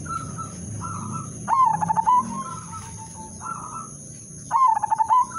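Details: Melodious udanmas silver zebra dove lure song for setting off other doves: two rhythmic cooing phrases of quick notes, with softer sustained coos between them, possibly from other doves; steady high whine behind.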